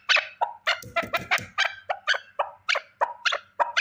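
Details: Rapid, choppy clucks from one male partridge. Loud harsh notes alternate with softer lower ones in a quick, uneven rhythm.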